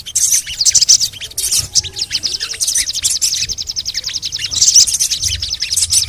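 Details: Crimson sunbird (sogon) chirping for lure use: an energetic sharp squeaky opening, then a long run of fast, regular high ticking trills, ending with another loud burst.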